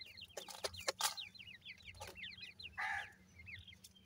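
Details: Grey francolin chicks, new this season, peep in rapid series of brief rising-and-falling high chirps, several in a row each second, among loud taps near the start and a hissing burst near three seconds.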